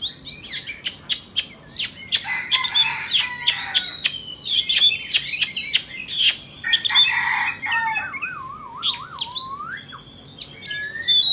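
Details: Two Oriental magpie-robins, one from Vietnam and one from Indonesia, in a singing contest: rapid varied whistled and chattering phrases with sharp high notes, a wavering low warbled whistle near the end, continuous overlapping song.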